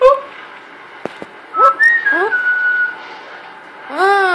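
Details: Female pet parrot giving an early whistle indoors: a clean whistled note that rises, then holds a long level tone for about a second, with a woman's rising exclamations before and after.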